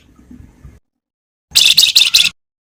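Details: Javan wergan in a varied training song: after faint low rustling, a single loud, harsh burst of four quick chattering notes, then silence.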